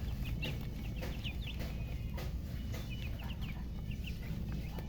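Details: Coloured chickens and a murgi hen chirp in bursts of high, short peeps, some in quick pairs, with brief pauses between clusters. A loud, steady low-pitched background noise is present.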